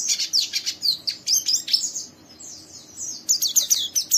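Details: Young caged oriental white-eye giving coarse ngeriwik chatter meant to trigger another bird's singing; fast, high chirps in a dense burst, a softer gap, then another quick run.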